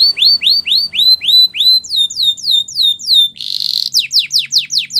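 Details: Training song of a Belgian canary: loud descending whistled swoops repeated about four per second, shifting to higher swoops, a short buzzy roll, then more steep falling whistles.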